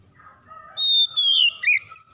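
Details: Oriental magpie-robin (kacer) lure song meant to set off a reluctant kacer: faint low tones first, then a long clear whistle sliding slowly down, followed by short rising and falling slurs.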